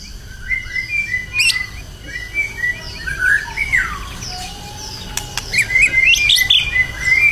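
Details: White-rumped shama being prepared for song competition in Indonesia gives scattered whistled phrases, some high thin slurs and a few louder swooping notes, more subdued than a full outpouring, over a light background hiss.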